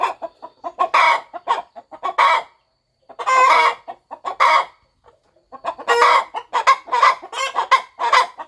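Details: Mother hen on a farm settling over her nest before her eggs hatch, clucking: bursts of short harsh clucks, some drawn into longer buzzy notes, with brief pauses between bouts.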